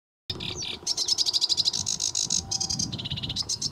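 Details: Sedge warbler (Acrocephalus schoenobaenus) singing at RSPB Lakenheath in 2017, a fast, scratchy chatter of dry chirps and buzzy trills at about three notes a second, over a low background rumble.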